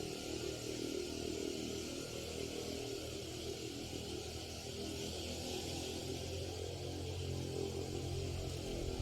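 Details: A steady droning motor hum with layered tonal bands carries throughout, and no animal calls are heard.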